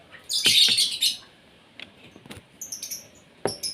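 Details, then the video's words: Asian pied starling during morning feeding; one loud burst of rasping, crowded chatter, then scattered clicks and short high squeaky notes. "SARAPAN PAGI BURUNG JALAK SUREN SUPAYA GACOR"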